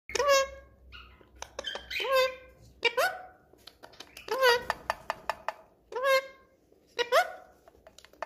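A cockatiel gives short, voice-like squawks in bursts, each rising then falling, with sharp clicks between.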